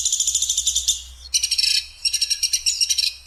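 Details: Woodpecker from Sampit on a masteran tutoring recording, clear-voiced with harsh, sharp 'shooting' calls: dense, grating pulsed bursts, a continuous run, a short pause, then two more buzzing, rattling runs.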